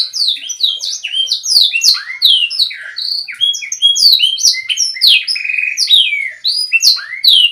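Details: Canary song meant to train young canaries, a continuous rush of swooping whistles with one brief buzzy trill midway, loud and clear.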